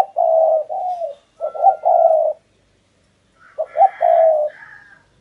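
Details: Spotted dove kept as a decoy to draw in wild doves, in Vietnam: two groups of deep, throaty coos, the second starting with quick stuttered notes before a longer falling coo, over a quiet background with faint higher chirps.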